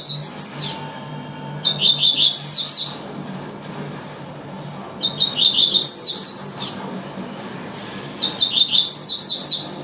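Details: Repeated tui-tui phrases from a double-collared seedeater, four strophes of short high notes swelling into rapid, piercing slurred syllables, each about a second long, separated by short pauses.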